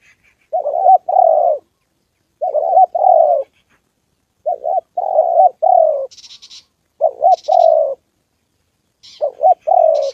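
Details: Spotted dove on the 2 September holiday, a decoy meeting a wild bird and a female. Its low, burry coo phrases of two or three notes repeat every two seconds or so, with brief high scratchy chirps between them.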